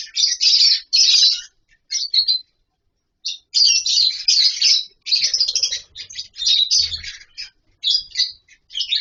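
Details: Lovebirds in a captive colony setup with wooden nest boxes and mud bowls give dense, shrill chattering bursts, with several short pauses between volleys of overlapping high squeaky calls.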